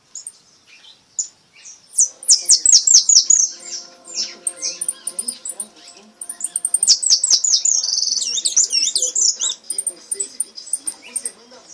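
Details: European goldfinch of the brown (pardo) mutation gives a rapid, high tinkling song of repique and retinido phrases: bursts of liquid twitters and buzzy trills, with brief pauses between phrases and a faint background hum.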